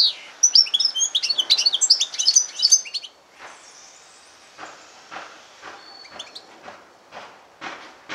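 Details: Hybrid of yellow-fronted canary and domestic canary singing, a fast high twittering warble for three seconds, then scattered faint clicks and brief notes over soft background noise.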